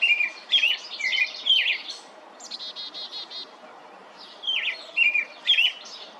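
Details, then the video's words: A robin's melodious song of high twittering phrases, thin sliding whistles and a buzzy trill, in bursts with short gaps between them. "Robin tells melodious tale"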